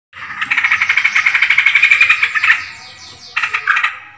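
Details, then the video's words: Yellow-vented bulbul lure recording for attracting birds: a bubbly, harsh chatter of rapid pulsed notes about four per second for two and a half seconds, a short pause, then further broken bursts of chatter. "pikat burung trucukan terbaru"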